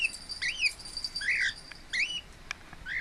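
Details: Lineolated parakeet kept as a pet, calm and relaxed indoors, filmed 26 April 2017, giving a quick run of warbled, wavering chirps that rise and fall in pitch, with brief pauses between phrases and a faint high hiss behind.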